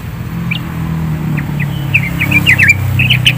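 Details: Yellow-vented bulbul singing in the 'gacor full isian' style: quick chattering, bubbly slurred notes that come faster toward the end, with a steady low hum underneath.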